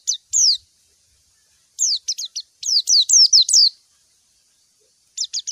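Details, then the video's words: White-eye calling a rival: clusters of bright, steeply falling chirps, two opening notes, then a fast run of about ten after a pause, ending with a short triple, no background noise. "Masteran suara burung PLECI MANGGIL LAWAN"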